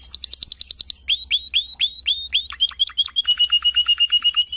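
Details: Canary (Serinus canaria), song.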